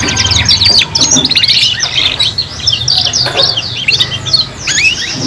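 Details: Several young canaries sing together as kenari paud learning song, three-in-one: fast overlapping trills, quick rising and falling whistles and buzzy rolls packed tightly, over a faint low background hum.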